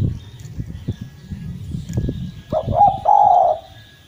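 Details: Collared dove (derkuku jawa) in lively song: after low rumbling and tapping noise, one soft cooing phrase rises through short notes into a longer sustained coo.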